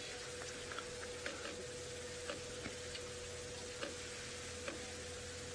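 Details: Steady broadband hiss with a faint constant hum and scattered soft ticks, like light drips; no animal calls stand out.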